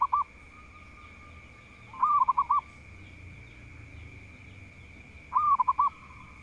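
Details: Local zebra dove, a vocal bird said to be good at provoking rivals. It repeats a bouncy phrase of rolling, clipped coos about every three seconds over a constant high-pitched electrical whine.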